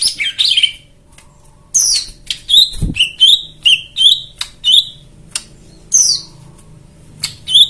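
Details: White-eye song used as a lure for birds that have stopped singing: rich, varied high chirps and downslurred whistled notes in quick bursts, with a few sharp ticks and a brief low thump.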